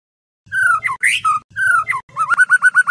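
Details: Murai batu (white-rumped shama) singing for night training of competition birds in Indonesia: drawn-out falling whistles with a harsh burst, then a quick series of short repeated upslurred notes, over faint low rumbling.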